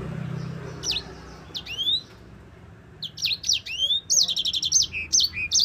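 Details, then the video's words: Sanger, the Yellow-fronted Canary, singing for use as a master recording to teach other songbirds: scattered high slurred whistles at first, building into a fast trill of repeated bright notes, several per second, over a faint low hum. "Kicau burung sanger gacor ngerol panjang cocok untuk pancingan dan masteran."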